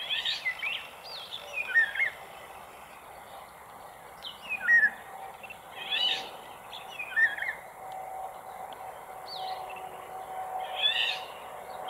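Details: Exhausted Eurasian golden oriole, male and female calls and song, resting on a sailboat heading to Île d'Yeu: short fluted whistles mixed with harsher scratchy notes every two seconds or so, over steady low mechanical hum.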